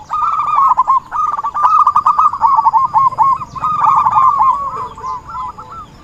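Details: Zebra dove calls played as a lure for bird trapping: rapid rolling, rippling coos at one steady pitch, running in bursts of about a second with short breaks between.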